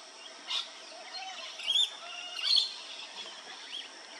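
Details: Blue-faced honeyeater at Maryborough, Queensland, giving three brief, sharp, high calls about a second apart, with thin whistled edges, over a steady background hiss.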